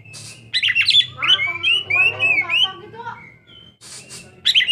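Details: Young Oriental magpie-robin in full, varied song: rich, rapidly changing whistles and warbles with rising and falling slurs, tumbling phrases and short, harsh bursts, continuous for several seconds.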